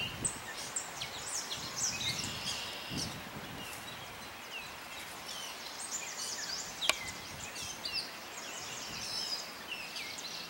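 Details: Gray catbird singing at Morgans Point: a varied, jumbled stream of short squeaky and chattering phrases at high pitch, with one sharp click partway through and steady background noise.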